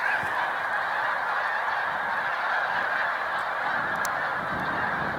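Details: Snow Geese gathered in large flocks on Cayuga Lake, New York, during a spring migration stopover, 20 March 2021. Incessant overlapping honking forms a thick, even din throughout, with faint ticks.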